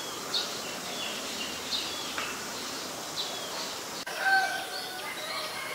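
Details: White-vented myna in Ubon Ratchathani, Thailand, on 14 December 2020, giving faint high chirps, then a short burst of clear whistled notes and harsher chatter after a knock, over a steady outdoor hiss.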